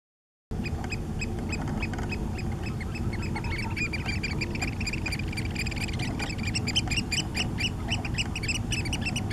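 Eurasian oystercatchers give a dense chorus of shrill, high piping notes that overlap rapidly, over a steady low rumble of wind or surf.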